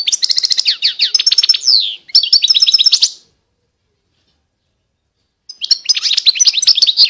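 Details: Goldfinch song recorded in 2020: fast rhythmic series of sharp downslurred twittering notes in two phrases, a long pause of about two seconds, then renewed tinkling chatter.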